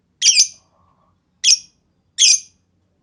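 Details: Lovebird lure sound meant to provoke long chattering replies from other lovebirds: three harsh, broad, high squawks about a second apart, each rough and buzzy.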